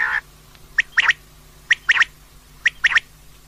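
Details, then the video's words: Female common quail calling. After an opening buzzy note come tight clusters of sharp, clipped notes, mostly in threes, repeated roughly every second. The background is quiet. "common Quail Calling, Female Batair Ki Awaz"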